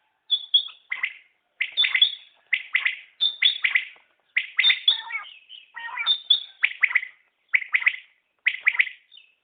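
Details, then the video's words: A steady run of common quail calls: clipped three-note phrases repeated over and over, about every second, bright and sharp with tiny pauses between them. "Batair Ki Awaz | Common Quail Calling| Naye Batair Ki Awaz|New Recording Common Quail| Batair sounds"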